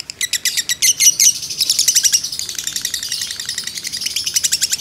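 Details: Fighter lovebird in ngekek, a training and lure sound; a few loud, spaced shrill notes lead into a blurred, rapid chatter that fades a little, then picks up again.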